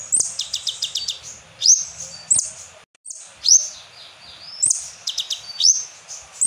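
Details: Asian glossy starling (konin) performing a lure song with kapas tembak fill, 2024: opens with a fast ticking series, then loud high whistled upsweeps and chattering trills, broken by a brief silence near the middle.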